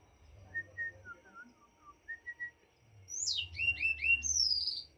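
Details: Singing white-rumped shama (morae): soft, spaced low whistles give way to a burst of loud, high, swooping whistled phrases, with a steady low background hum.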